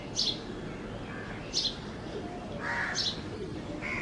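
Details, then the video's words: Sparrow from Bangladesh: sharp high chirps repeated about every one and a half seconds, plus a lower, longer buzzy note near the end over constant background noise. "চড়ুই পাখি - Sparrow"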